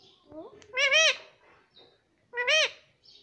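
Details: Pet ringneck parrot speaking indoors: two loud, nasal, bending syllables a second and a half apart, imitating the word "Mami", with quiet room noise between.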